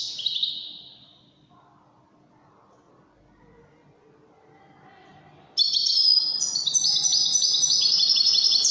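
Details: Widani goldfinch: a short, high, buzzy note, a long near-silent pause, then a lively, fast outpouring of shrill, tinkling twitters in the final three seconds.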